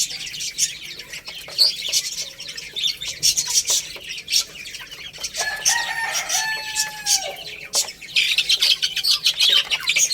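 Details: Rice-eating baby chicks give a steady wash of shrill peeps; in the middle a longer, lower, wavering call stretches for about two seconds before the high chirping swells again.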